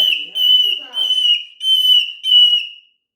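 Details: A pet Moluccan cockatoo, overtired and noisy in the evening, gives four loud, drawn-out, whistle-like calls of steady high pitch, about one every second, with a person's voice faint underneath.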